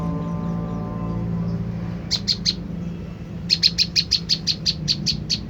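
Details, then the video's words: Low droning hum first, then an olive-backed tailorbird lure: three sharp high chirps, a pause, and a rapid run of about eleven piercing chirps, played to make wild tailorbirds answer. "putar suara prenjak lumut ini dijamin prenjak stres//macet bunyi langsung nyaut"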